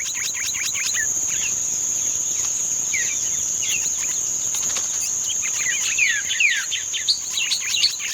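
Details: Green-winged saltator singing the song style called "treme terra", recorded 31 May 2025: loud whistled notes that slur quickly downward, sparse at first and then crowding into rapid bursts near the end, over a steady high insect drone.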